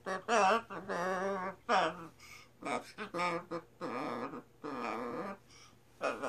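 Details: Scarlet macaw indoors imitating human singing of "Sinbad the Sailor man"; a quieter run of quavering, voice-like syllables and short sung phrases with uneven gaps, rising and dipping in pitch.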